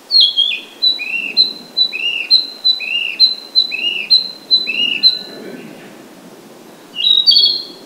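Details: Male Narcissus Flycatcher singing, pausing between songs while feeding, on a birding walk in Kita-Harima, Hyōgo, Japan: a clear repeated phrase, high whistled note then lower slurred one, about five times in six seconds; a viewer suspects it mimics Chinese bamboo partridge.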